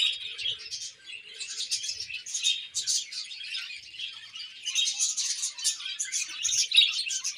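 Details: Budgerigars chirping in a colony, a dense continuous chatter of many overlapping high twitters and warbles with no pauses.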